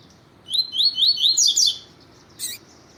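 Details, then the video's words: A double-collared seedeater (Sporophila caerulescens) sings a tutor song meant to stimulate other males: a quick run of high, slurred rising whistles over about a second, then a brief buzzy note after a pause. "CANTO TUI TUI PROFESSOR COLEIRO TUI TUI FIBRA CANTO DE COLEIRO TUITUI PARA ESQUENTAR COLEIRO TUI TUI"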